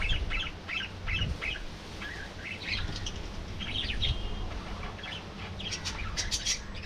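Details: Budgerigars in a colony, an aviary flock, giving quick chirpy warbles in short bursts, several birds overlapping through the stretch, over a steady low hum.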